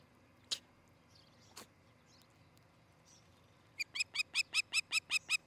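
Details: Osprey pair at their nest near Charlo, Montana, on the morning of July 13, 2018; after two isolated sharp chips comes a fast regular run of high piercing whistled yelps, about two and a half per second, with faint other birds behind.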